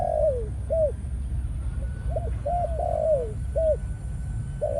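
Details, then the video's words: Spotted dove male decoy, Malaysian stock, entering breeding mode after a few sessions on the ground; repeated hoarse cooing phrases of short arched notes with longer falling coos between, about two per second, above a low rumbling background. "Chim cu gáy mồi || Nọc Neymar dưỡng vài kèo ăn đất rồi vào chế độ Sinh Sản"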